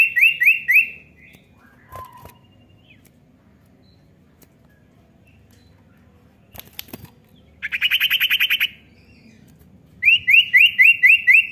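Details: A common iora gives three bursts of fast, high chattering notes, about four per second, separated by quiet gaps with faint clicks and a low hum; chattering used to prompt a young bird to sing.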